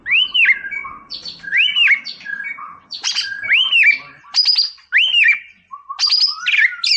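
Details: White-rumped shama, a caged songbird kept to provoke a rival, singing a loud repeated phrase: an arched whistled note rising then falling, followed by sharp buzzy and high chipping notes, about every 1.2 seconds.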